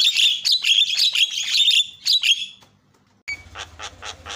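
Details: Javan myna lure call for drawing out other mynas: loud continuous raspy chatter and squawks, then after silence a faint series of rasping notes over a low electrical hum.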